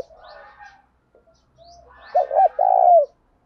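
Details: A spotted dove singing in the 'thổ đồng' voice to provoke wild males. Faint, soft chattering comes first, then a clear low coo phrase of two brief notes followed by one long sustained note.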